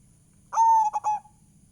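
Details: Zebra dove lure recording for prompting birds: a single clear, steady mid-pitched coo held for about two-thirds of a second, followed by two short clipped notes, over a quiet background.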